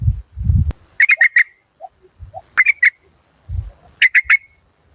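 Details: A caged yellow-vented bulbul decoy of a Malaysian local strain, fierce and strong-voiced, gives short bursts of three to four quick whistled notes, each burst ending in a slurred tail, with dull thuds between bursts.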